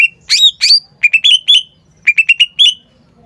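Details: Loud, clear cucak ijo phrases: two swooping whistles then quick runs of four or five short bright notes, repeated, against near silence.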